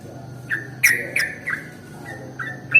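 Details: Sooty-headed bulbul lure recording used to attract other bulbuls: a handful of short, bright whistled notes at spaced intervals, some sliding downward, over a faint low hum.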